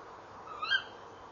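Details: A single clear, piercing call from a tawny owl at a nest box, recorded at dusk in late November 2013 as the female sits by the box and the male flies in; the note climbs quickly and ends abruptly.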